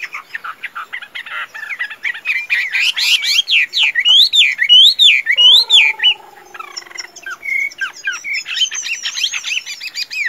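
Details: Caged Chinese hwamei, tame and strong in song and fighting, pouring out rich whistled phrases with rising-falling looping notes, rapid repeated motifs, a brief low drawn-out tone, then high chattering trills.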